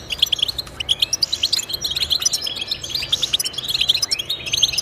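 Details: Lively European goldfinch song used as encouragement for pet birds to sing: continuous high twittering with fast repeated chirps and short buzzy trills.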